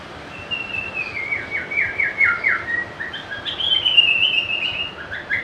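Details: White-rumped shama, a popular cage bird that can copy other birds, sings a sustained whistled phrase broken into rapid descending trills, then a long high rippling note and short whistles, with light background noise.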